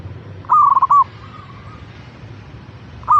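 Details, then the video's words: Local zebra dove (perkutut) singing one clear rolling coo phrase that ends on a longer note. A faint echoing coo follows, and another loud phrase begins just at the end. "Pancingan Burung Perkutut Agar Cepat Bunyi - Zebra Dove"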